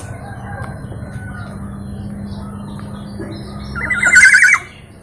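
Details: East Javan local black-naped oriole, noted for varied, melodious calling; a steady low hum fills most of the recording before one short, loud, rasping rattle of fast repeated notes.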